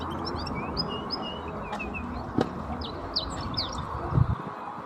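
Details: Wild Atlantic canary singing in the mating season on Gran Canaria, Canary Islands, 2024: quick, high chirps and short trills in loose bursts, over a steady low rumble of wind or distant noise.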